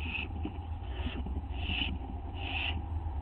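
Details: Owl heard at night, 11:07 PM on 19 August 2011, as it eats a treat in a corner with another owl nearby outside; three brief, hoarse, high-pitched bursts spaced under a second apart, over a low hum.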